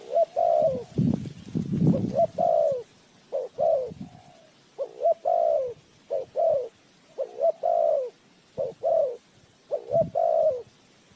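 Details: Decoy spotted dove for bird trapping, uttering series of short paired coos with a longer mellow note, many phrases in succession, with low thumping noise near the start.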